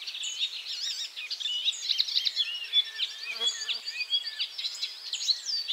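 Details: Icterine warbler at 51.901951, 20.298842, resuming song after moving and catching a caterpillar: a fast, unbroken stream of high, varied notes, sweet whistles mixed with scratchy and nasal phrases, with no pause throughout.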